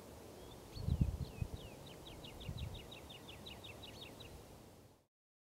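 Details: A woodlark in spring sings a fluty phrase of about fifteen short, falling notes that quicken into a rolling series, over low wind rumble and rustling.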